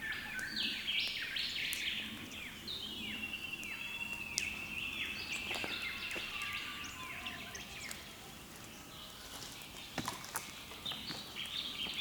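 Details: Early-morning bird chorus on Australia's east coast, captured on a camera: many overlapping callers give rapid, repeated chirping and arched whistled notes, denser in the first half, with occasional sharp clicks in the background.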